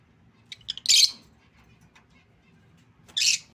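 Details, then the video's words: Lutino lovebird calling in two bursts: a few short high chirps leading into a loud harsh screech, a pause of about two seconds, then a second shrill screeching burst; otherwise quiet with faint low hum. "lutino lovebird | Love birds sounds | lovebirds singing"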